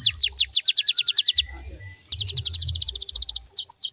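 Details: Canary song for prompting other canaries to sing back: a quick series of falling whistled sweeps, a brief pause, a rapid rolling trill of short notes, finishing with two clear downslurred whistles; faint hum below.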